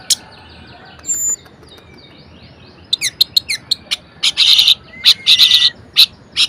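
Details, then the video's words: Caged orange-headed thrush in varied song meant to provoke silent birds into singing: scattered sharp clicks and chips, then harsh buzzy bursts mixed with thin whistled slurs. "Anis Merah Gacor Variasi Bangkitkan Emosi Anis Malas Bunyi Agar Rajin Berkicau"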